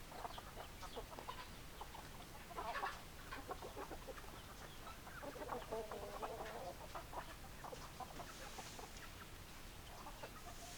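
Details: Chickens in a group, hens clucking: many short overlapping clucks, with a slightly louder burst near the third second and a drawn-out murmuring note around the sixth, over constant low hiss.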